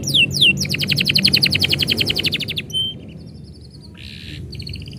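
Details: Canary singing when its owner is leaving: two falling whistles, then a fast even rolling trill, followed by a thin high note, a short buzzy burst and soft chips.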